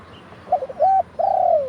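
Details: Spotted dove, a decoy bird used to lure wild doves, crowing in the Thai 'khan yon' style, recorded live: a few short soft notes, then a long, steady, mellow coo that slides gently downward at the end.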